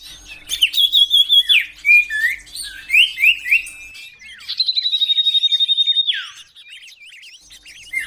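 Common iora in a canary-style burst: high whistled notes and quick sliding phrases, then a fast even trill of about a dozen notes lasting over a second.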